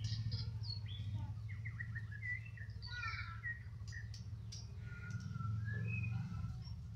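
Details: A Medan White-rumped shama in the afternoon delivers varied whistled phrases, short downslurred notes and quick twittering runs, set against a loud constant low-pitched hum.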